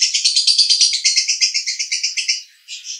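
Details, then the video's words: Male lovebird from Cibinong, Bogor, in konslet 'roda gila' song style: a rapid, unbroken chatter of buzzy high notes pulsing about three times a second for over two seconds, then a brief pause and a short final burst. "Master Lovebird Jantan Konslet RODA GILA"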